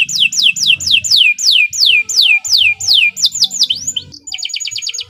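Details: Local Indonesian canary in sustained, vigorous song used for tutoring other birds: about a dozen loud descending slurred whistles in steady succession, then a quick run of short high pulsed notes.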